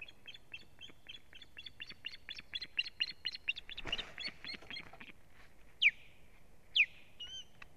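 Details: Intruding ospreys assault the female at her nest, live camera, 1 May 2017: a rapid run of short, clipped chirping notes, roughly three per second, then two loud, sharp falling whistles about a second apart.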